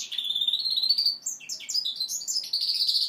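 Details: Young goldfinch mule, five months old and still learning its song, delivers a bright run of high notes: a long thin whistle held and slowly rising, then quick chirps and trills jumping between pitches.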